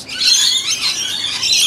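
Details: A juvenile Noisy Miner (black-headed manorina) calls to be fed with a harsh, raspy, high-pitched begging call, a near-continuous scratchy wheeze under two seconds, at about 6 a.m. in a suburban Australian garden where magpies, crested pigeons and rainbow lorikeets also feed.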